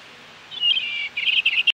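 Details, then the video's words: An American robin sings a brief clear, warbled whistled phrase, then a quick run of four or five short slurred notes, against a quiet background. "Robin Sounds | American Robin Sounds"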